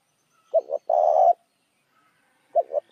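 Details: Spotted dove lure call used to attract other doves: low hollow cooing, two short notes then a longer drawn-out coo, with a second phrase starting after a two-second pause; otherwise quiet.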